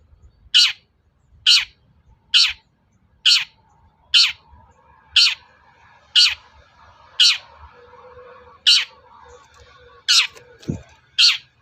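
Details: Long-tailed shrike calling to rouse other birds into answering: a steady series of eleven rasping, downward-slurred squawks, nearly one per second, with a faint low hum underneath.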